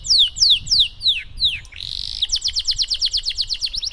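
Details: Canary tutor song in 'cengkok mewah' style, played so canaries learn to sing: several loud falling whistled notes, a brief buzzy roll, then a rapid run of short sharp notes repeated at a fast, steady pace.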